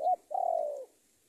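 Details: Spotted dove decoy bird calling a rival, heard as a short rising note followed by a sustained, slightly rolling coo that slowly drops in pitch.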